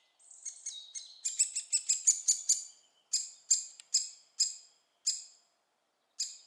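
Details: Fed young great spotted woodpeckers, Staverden, Netherlands: a quick burst of high, squeaky chirps, then separate sharp, descending chips spaced about half a second apart, thinning out toward the end.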